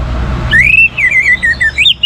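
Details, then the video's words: Orange-headed thrush singing to encourage other birds to sing: after a low background hum, a loud rolling whistle that rises, wavers and breaks into quick undulating notes, ending on a higher flick. "The Best ANIS MERAH Gacor Untuk Memancing Burung Jadi NGeplong Bahkan Teler"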